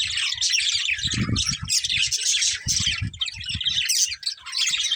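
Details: Colourful budgerigars of a breeding pair chatter in high rapid chirps and warbles, almost unbroken, over low rhythmic bumping sounds in the background.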